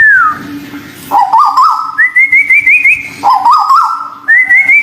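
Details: White-billed bulbul, local and Malaysian, singing for bird training: a descending whistle, then jaunty warbled phrases alternating between a lower wavering run and a higher rising trilled run, two cycles in under five seconds, faint hum beneath.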